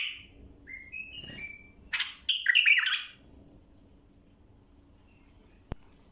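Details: A bulbul sings in a recording for tutoring young birds. Soft rising whistles lead into a loud, bubbling burst of notes, then quiet with a faint hum and a single click.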